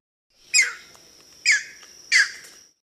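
A Green Heron gives three harsh, explosive squawks, each under a second and spaced about a second apart, over a faint steady high-pitched whine.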